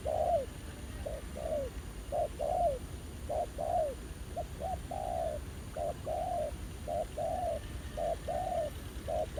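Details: Spotted dove cooing during ground-decoy trapping at a rural site revisited after over a year, a new wild male responding eagerly: low phrases of short clipped notes then a longer drawn coo, repeated steadily nearly a dozen times over faint field noise.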